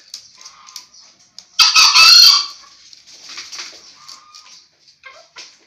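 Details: Green junglefowl cock, five years old and used to sire bekisar hybrids, delivers a single loud, raspy crow of under a second midway, with soft clicking and low background noises before and after.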